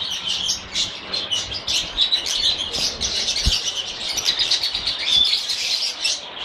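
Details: Lovebirds chirping: a dense, continuous chatter of many overlapping high, squeaky tweets with short whistled notes, several birds calling together, and a brief soft wing flutter.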